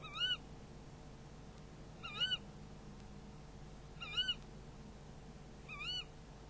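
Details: A tawny owl at its nest during a prey handover, caught on a nest camera late on 11 February 2016: four brief, warbling squeaky notes, repeated about every two seconds, over faint background hum.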